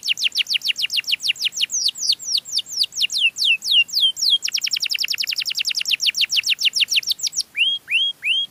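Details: Canary pouring out its melodious song to lure other canaries: long series of high down-swept notes at a steady fast beat, a tighter rapid trill, ending with three rising whistled slurs.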